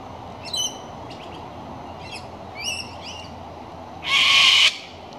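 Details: Sulphur-crested cockatoo (Cacatua galerita) that landed in a gum tree near a house gives several softer, rising chirped notes, then one loud, harsh, grating screech about half a second long, over faint background hiss.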